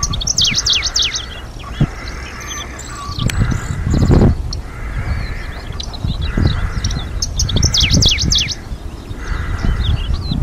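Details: Middendorff's grasshopper warbler singing in 2023 in Hokkaido, where it breeds in natural coastal flower meadows; bursts of sharp descending high notes recur every few seconds over a steady mid-pitched buzzing hum and low wind rumble.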